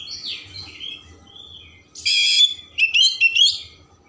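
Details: Oriental magpie-robin song for stimulating emotion and tail opening, opening with soft thin whistles, then a loud harsh buzzy burst and quick bright twittering notes.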